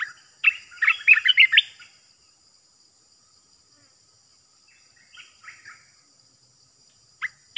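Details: Olive-winged Bulbul kept in a cage as a decoy bird, uttering a quick jumble of bright chattering notes, followed later by a softer short phrase and a final sharp note.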